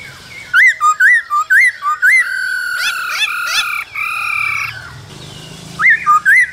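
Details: In the cold season a male laughingthrush sings and dances as a female calls. Bouncy, looping whistled notes repeat about twice a second. A sustained, rich, slightly harsh tone interrupts them, and the looping whistles return at the end.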